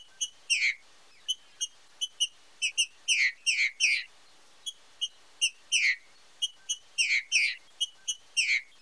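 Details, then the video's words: Green-winged saltator singing the 'fibra com marcheado' style, used for training and stimulating song: crisp short ticking notes repeated rapidly, broken by pairs of louder downslurred whistles in a steady cycle, with a clean, quiet background. "TRINCA FERRO FIBRA COM MARCHEADO - ESPECIAL PARA TREINAMENTO E ESTIMULO DE CANTO"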